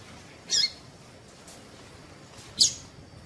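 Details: Two squeaky high chirps about two seconds apart from a female Double-collared seedeater, whose call serves to get males singing; faint hiss between notes.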